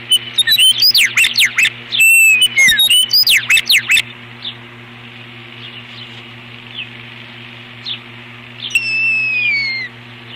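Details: Osprey defending its nest against an intruder, April 2015: about four seconds of dense, loud, high whistled calls with downward slurs, then near quiet with faint notes and one long descending whistle near the end, over a low steady hum.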